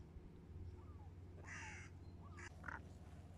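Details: Great crested grebe with chicks at Pärnu, 17 June 2024, 10:00; two harsh, rasping nasal calls close together, preceded by faint thin rising notes over a steady low hum.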